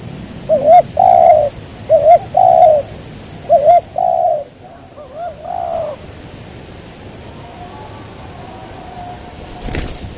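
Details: A local wild spotted dove, hunted during bird trapping, gives a run of three clear coo phrases. Each has a brief wavering opener and a longer sliding coo, then a softer, more distant phrase follows before the sound fades to quiet hiss.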